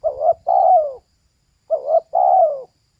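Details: Female spotted dove cooing: a short wavering double note and then a long, slightly falling coo, the phrase given twice with a clear pause between.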